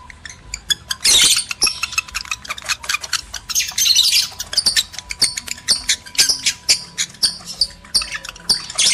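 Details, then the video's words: Male and female lovebirds whose calls are used to spur breeding: an abrupt loud shrill squawk burst, followed by irregular high chattering, ticking notes and intermittent squeaky flurries. "PANCINGAN JEBOL BIRAHI BUNYI, BIKIN EMOSI LOVEBIRD JANTAN DAN BETINA"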